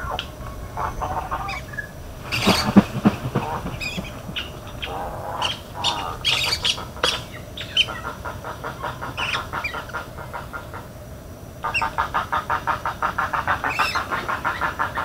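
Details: In Everglades National Park, spoonbills give low, harsh grunts and clucks that overlap from several birds, ending in a fast, steady run of rasping pulses, while other birds chirp faintly.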